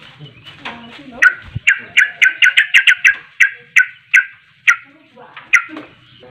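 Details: Sooty-headed bulbul in emotional 'ropelan' song, aimed at stirring up other bulbuls: after a noisy, murmuring start, a quick burst of sharp, clear repeated notes slows into spaced chirps.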